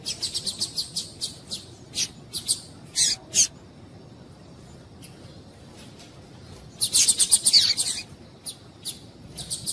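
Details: Female Double-collared Seedeater calls, used to stimulate male seedeaters to sing: short, high chips, first spaced several to a second, then a denser chattering burst near the end.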